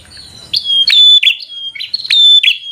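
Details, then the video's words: Bar-winged prinia in full, aggressive singing used to provoke an opponent: a tight run of loud, sharp, ringing chirps delivered quickly after a soft start. "Prenjak Gacor Full FIGHTER Bikin Prenjak Jadi Emosi Lawan"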